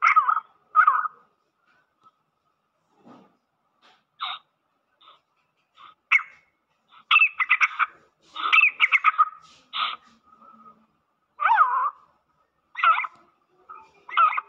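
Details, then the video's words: Mixed Black francolin calls meant to rouse the bird: scattered harsh squawks and grating notes, some in quick clusters, with gaps of near silence and a few fainter notes between louder bursts. "kala teetar ko jaldi mast karne wali mix awaz"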